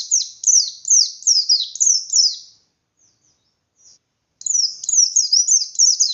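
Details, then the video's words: Caged white-eye singing in the hard, forceful ngalas style with full open beak, used to provoke other white-eyes into answering: rapid high chirped phrases with sharp downward sweeps, repeated quickly, then a pause and a resumed burst. "Burung Pleci Gacor Pendongkrak Emosi Pleci Lain"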